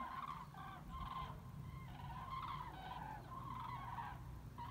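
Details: Migrating cranes over Bremen, Germany, on 30 October 2016, breaking and re-forming formations above the Weser; distinct, repeated trumpeting calls from several birds, some rising, others falling, in quick succession over a steady low drone.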